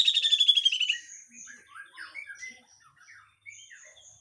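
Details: Grey-cheeked bulbul in harsh full song from a training master: a loud pulsing descending buzzy rattle, then soft varied warbled chips and short whistles.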